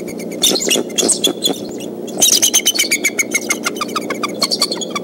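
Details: Nesting pair of bald eagles at Decorah sound the alarm on 17 April 2014, early afternoon, as an intruder, tentatively a fox squirrel, nears their nest and young; rapid bursts of high staccato chittering notes, pausing briefly midway, then resuming.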